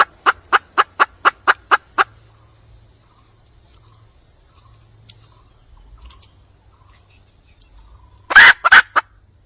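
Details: Wild red junglefowl hen calling for a male: a quick run of eight sharp, evenly spaced clucks over two seconds, then quiet, then a short, loud, harsh burst near the end.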